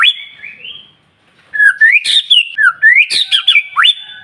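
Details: Energetic white-rumped shama song meant to stir other shamas into singing: a high whistle, brief pause, then a rapid run of swooping slurred whistles mixed with harsh sharp notes.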